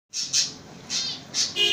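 Lovebirds give harsh, shrill squawks, four bursts in under two seconds, each about half a second apart, heard indoors.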